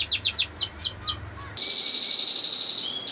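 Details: Canary delivering quick repeated sweeping notes that break into a sustained, bright, steady whistled tone held to the end.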